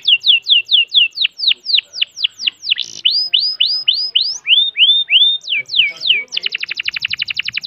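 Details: Long-breath canary song: a run of loud, descending whistled slurs, each repeated at a steady pace, ending in a rapid rattling trill of many short notes.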